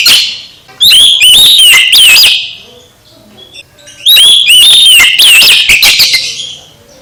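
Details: Oriental magpie-robin song meant to stir another magpie-robin into singing: two loud phrases of rich, sliding whistles and quick chirps, each lasting about one and a half seconds, with a near-silent stretch between them.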